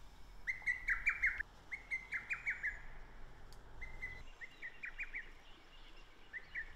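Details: Lesser Cuckoo song from Japan's Shin'etsu rural hill country, early June, wild bird: two full phrases of emphatic whistled notes, quick and choppy, separated by a brief pause, with soft distant bird twitter in the background.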